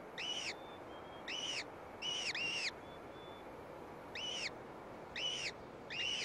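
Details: Downy gyrfalcon chicks in a cliff-ledge eyrie, fed by a gray female; loud arched squeals, singly and in quick pairs, roughly every second, with faint thin whistles between and light hiss.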